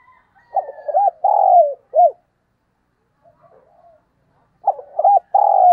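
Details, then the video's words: Spotted dove kept as a decoy bird, cooing in the morning: two cooing phrases of low, hooting notes, short looped coos leading into a longer drawn-out note, with a quiet gap between them. No other sounds. "Tiếng Chim Cu Mồi Gáy Gọi Vào Buổi Sáng"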